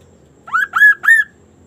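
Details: Sunda laughingthrush singing eagerly in an unusual way: a tight phrase of three hoarse, squawking notes that rise and fall, over a soft low background hum.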